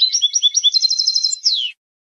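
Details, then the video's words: European goldfinch singing to claim territory and attract females: a fast, clean run of bright twittering notes that speeds into an even, rapid trill, then ends on a single falling slur. No other sounds. "How to develop a distinctive vocal personality for your goldfinch"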